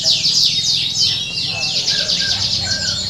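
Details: Many competing canaries at a bird contest sing together in a bright, shrill wall of fast repeated trills and downward-sweeping chirps, with a faint low hum of voices beneath.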